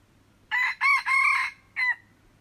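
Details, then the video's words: A red junglefowl gives a full crow, 21 February 2025. Harsh ringing syllables build into a drawn-out third phrase, then a clipped final note after a short gap. A faint low hum lies underneath. "tiếng gà rừng gáy"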